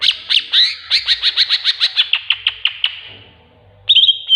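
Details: Greater green leafbird singing its tengkek buto filler, a master track meant to coax birds into song: a fast run of harsh, rasping notes that gradually slow and thin out, a pause, then a bright whistle.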